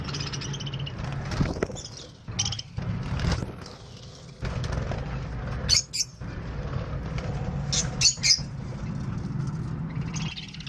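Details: In a small captive budgerigar breeding setup, budgerigars give scattered sharp chirps and squeaky, warbling notes over a steady low hum.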